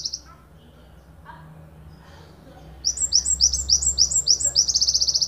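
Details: Ponorogo Java sparrow singing a long 'tembakan panjang' phrase for tutoring other songbirds. Quiet room noise comes first, then a burst of high, clipped chirps that speeds into a rapid, regular series of ticks.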